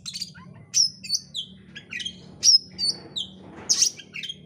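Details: Oriental magpie-robin in full, insistent song, played as a bait recording to provoke another bird to sing. Short, high whistled and chattering phrases are separated by brief pauses, with a faint low hum underneath.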